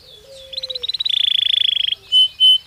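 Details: Belgian canary singing naturally: a soft low whistle, then a pulsing trill that speeds into a dense buzzy roll, followed by two pure, clear high whistles.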